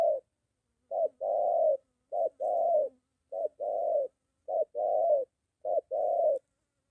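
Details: Moulting spotted dove decoy in training near home, Gia Lai, Vietnam, encountering a wild bird: soft hollow coos in short-long pairs, five pairs in under seven seconds, clean and quiet behind.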